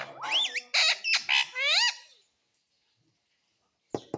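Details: Pet talking parrot: about two seconds of loud, rapid, squawky speech-like syllables with rising and falling harmonic tones, then quiet, then two sharp clicks near the end.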